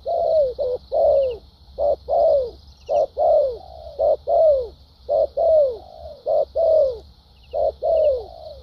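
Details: Wild-caught spotted dove delivering a well-structured song in the 'thúc gù' and 'lèo dặm' styles: rapid strong coos, short clipped notes mixed with longer falling ones about once a second, over a continuous high whine.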